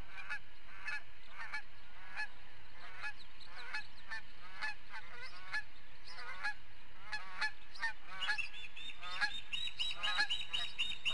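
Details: Osprey at a nest in Charlo, Montana, on 18 July 2016, captured by a nest camera while driving off another osprey that keeps harassing the nest; rapid, uneven series of sharp chirping calls, some rising, continuing throughout.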